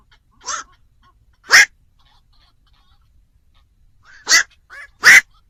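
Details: Scattered hoarse single croaks of a black-crowned night heron, used as a lure for trapping birds after dark, separated by long silences.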